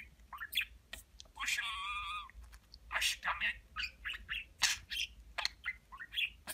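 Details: Talking budgerigar kept as a pet, repeating Turkish words such as cici kuş and aşkım: harsh nasal speech-like squawks, one drawn-out buzzy phrase, then uneven raspy syllables over a faint noisy background.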